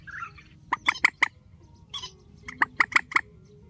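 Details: Grey-headed swamphen giving a strong call, spliced together: a short run of three hard clucks, a brief gap, then five quicker clucks, with faint softer sounds between.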